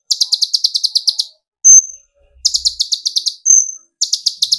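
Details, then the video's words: Sunbird (kolibri ninja) in song to provoke rivals: fast high ticking trills of about a dozen notes, each run broken by a single clear whistled note, repeated three times. "burung konin gacor pancing tembakan konin dari yang trotol sampai full metalik nembak emosi"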